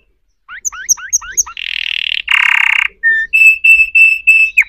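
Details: Canary song made of varied phrases: a few rising whistled slurs, a buzzy rattling tour, a harsher churring burst, then a series of clear, ringing whistled notes repeated about twice a second.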